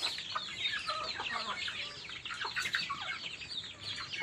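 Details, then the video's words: Feeding baby chickens give rapid, continuous high-pitched peeps from many birds at once, forming an irregular, constant chattering chorus. "HUNI NG MANOK HABANG KUMAKAIN, CHICKEN SOUND EFFECT"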